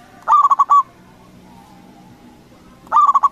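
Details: A local zebra dove sings loudly to provoke rival doves into calling back. One rolling phrase of five quick coos, then a quiet gap, then the next phrase begins.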